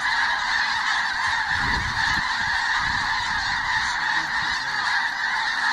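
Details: A large flock of geese passing overhead before dawn in Canada, their countless honks merging into a continuous, even roar, while low thumps and rustling sounds rise near the ground.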